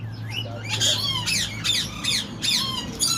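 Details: Tamed slaty-headed parakeet pair at a Karachi bird market giving harsh, broadband squawks repeated roughly every half second, with softer rising whistled notes between them over a steady low hum.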